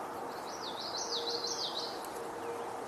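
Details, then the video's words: American Robin heard behind the observer on 21 May 2024, among alarm-calling red-winged blackbirds, gives a quick run of high, wavering whistled notes over about a second and a half against steady outdoor hiss. "I'm hearing a robin behind me."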